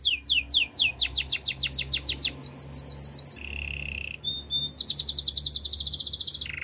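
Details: Canary singing for training: quick series of falling whistled notes, a brief low rolling trill, a sharp double note, then fast repeated bright chirps and a lower roll at the end.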